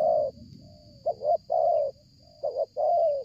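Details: Spotted dove calling strongly and nonstop while drawing near during luring; a doubled short note and long hoarse coo repeated in steady phrases, soft sliding notes in the gaps, low background rumble.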